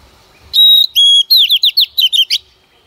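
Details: White-rumped shama female used to prompt singing gives a steady high whistle, a second level whistle, then a hurried series of arching, looping notes, clear and loud against silence.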